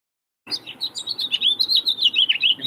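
House Finch song: a rapid, squeaky warble of high notes tumbling up and down, running continuously for about two seconds without pause.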